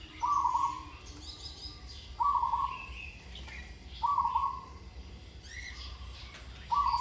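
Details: Rolling, stuttering coos from a zebra dove still in training, noted for a lovely voice and good phrasing: four to five bubbling phrases repeated about every two seconds, over scattered higher chirps of other birds.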